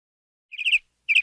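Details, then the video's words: A canary singing gives two short, bright trilled bursts, each a quick run of rolled high notes, about half a second apart, against a quiet background. "Canary Singing"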